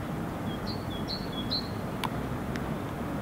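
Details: A great tit, unseen, sings its two-syllable song in Helsinki, Finland, in February 2016: a thin, high phrase, a lower note then a higher one, three times in quick succession over a steady low rumble.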